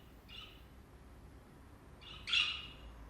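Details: A budgerigar perched on a person's hand, calling loudly enough to make the ears ring. Two harsh, screechy calls come about two seconds apart, the second louder, over a quiet background hiss.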